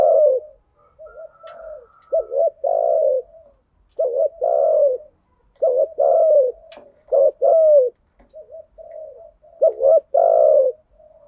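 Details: Spotted dove lure recording of male and female birds, cooing styles called thúc gù and gáy gọi, used to excite training decoy birds; low coos repeated several times: quick double-humped notes each followed by a long rough drawn-out coo, soft murmuring between.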